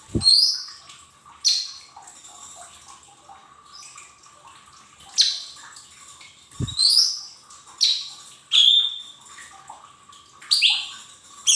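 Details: Lesser green leafbird singing on a training recording for young cage birds: scattered high, clear whistled notes and short downward slurs separated by pauses of one to two seconds, with a couple of low thumps and a steady background hum.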